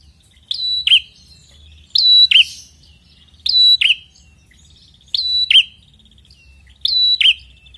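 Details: Prinia with a red head singing energetically, used to coax quiet birds into replying; five loud, clipped high phrases of a bright rising note dropping into a quick slur, spaced roughly every 1.6 seconds, over faint low hum.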